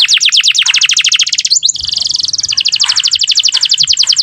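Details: Singing canary whose elaborate song serves as a tutor for young canaries: rapid high repeated notes form a trill, break briefly into a buzzy rolling phrase, then resume as a steady fast trill.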